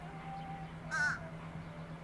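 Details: Fish crow along the bayshores, marshes and beaches of New Jersey giving a single short nasal caw with stacked harmonics, over a steady low hum.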